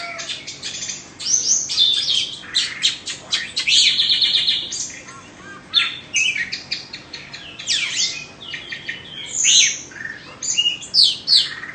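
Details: Two-season Oriental magpie-robin from Indonesia, kept caged, sings a lively high song of rapid clicks, buzzy trills and sweeping slurred whistles in dense, irregular bursts.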